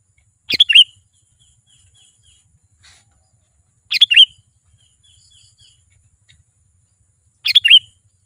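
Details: Sooty-headed bulbul singing to attract wild birds: three short liquid phrases of a few notes, spaced about three and a half seconds apart, over a quiet background.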